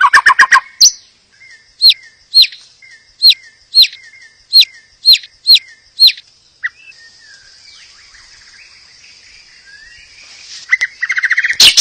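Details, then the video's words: White-rumped shama song meant to trigger other shamas to sing: a brief rapid trill, then evenly spaced sharp high notes about every half second, followed by a faint thin whistle and a closing trill. "Terapi murai pancing murai agar bunyi"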